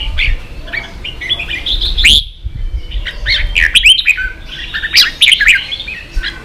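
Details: Red-whiskered bulbul singing while stirred up to compete: loud, lively run of warbled and chirped notes, quick rising and falling whistles packed into rapid phrases broken by brief pauses, over a low background rumble.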